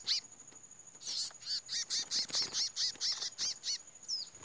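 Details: Chestnut-bellied seed finch (Sporophila angolensis) males in a singing duel, the first fight after the moult: about a dozen clear, rising-and-falling whistled notes, roughly three per second, over a steady high insect whine.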